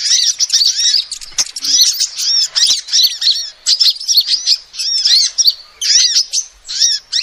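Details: Female sunbird call used as a lure, a lively series of high-pitched chirps and curved whistled notes grouped into roughly one-second bursts with short pauses between.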